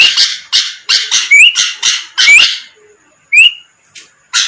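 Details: Sooty-headed bulbul singing to bait rivals into responding; harsh chattering notes interspersed with clear, rising whistled slurs, three of them standing out, then scattered single notes after a pause.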